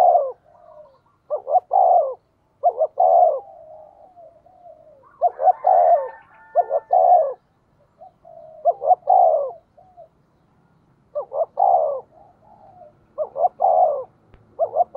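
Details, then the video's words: Spotted dove, "giọng thổ" voice, sounding as a lure for wild birds: about eight phrases, each a clipped double coo and a long falling coo, with softer low coos in the gaps and a brief higher overlapping call. "cu gay kich boi nhanh noi gù, tiếng thúc cực đỉnh"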